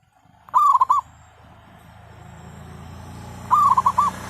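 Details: Zebra dove during a decoy trapping session for wild birds, on a cloudy day after overnight rain: two loud stuttering trilled coo phrases about three seconds apart, each a quick run of clipped, slightly rising notes, with a low background hum between them.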